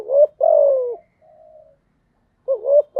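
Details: Spotted dove decoy song for training newly caught birds: a low coo phrase with a brief rising note and a drawn-out falling coo, a faint hum, then the next phrase beginning.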